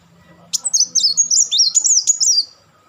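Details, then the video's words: Van Hasselt's sunbird delivering one continuous two-second burst of quick, high, bouncing chatter notes that step up and down, loud and close. "crecetan dan tembakan beruntun Kolibri Wulung"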